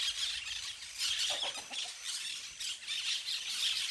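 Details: Flock of parakeets at play in trees, loud overlapping harsh squawks in pulsing bursts, with a cluster of slightly lower chirps near one and a half seconds.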